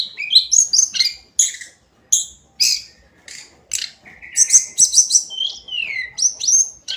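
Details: Hill blue flycatcher's daily song: high, varied whistled phrases with sweet slurred notes and quick trills, separated by short pauses, with one long descending whistle near the end.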